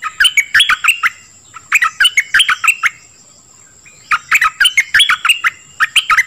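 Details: Dok taeng bird singing, meant for training young birds and exciting them: repeated bursts of rapid chirps, about three per second, in phrases roughly two seconds apart over a steady high whine.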